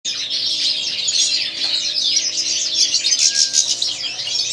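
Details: White-throated form of European goldfinch: a dense, high tinkling twitter of quick liquid notes and buzzy trills running without a break.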